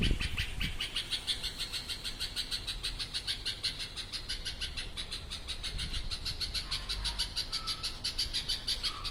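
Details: Noisy bird giving a long, continuous run of rapid, high, rasping pulses, roughly three per second, steady throughout, over a low rumbling background.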